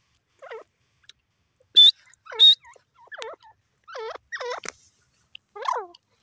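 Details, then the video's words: Grey francolin (teetar) calling: a series of harsh, harmonic, V-shaped notes repeated in bursts. Two loud, high, clear whistled tones are heard near the start, and the background is quiet. "peasant teetar bird top sound titur awaz"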